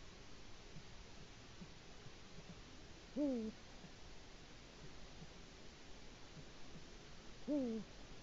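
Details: Nest camera in Latvia, early morning of 5 March 2018: a male Eurasian eagle-owl calls for its mate with two low, falling hoots roughly four seconds apart against faint hiss.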